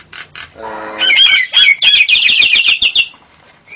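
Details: Nias hill myna with lovebird and canary imitations, ngekek style: a brief nasal buzzy note, then a loud jumble of harsh squawky chips and quick trilled phrases lasting about two seconds.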